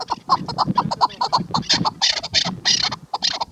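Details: Female chukar partridge giving quick repeated clucks in an even run, with several louder, breathier bursts toward the end and a faint low background rumble.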